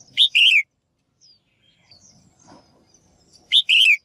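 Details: Female bird calls intended to rouse males into lively song, two strong double chirps roughly three seconds apart, the second note longer and falling, with quiet faint twitters and low rustling between them.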